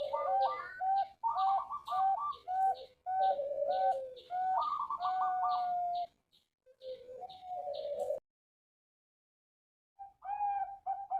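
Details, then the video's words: Captive male zebra dove at a Bangkok-line breeding farm in Bantul, Indonesia: dense, rolling trills of clipped coos in several bursts, ending in a long drawn note, then a pause and a brief restart. "Kumpulan Suara Perkutut Jantan"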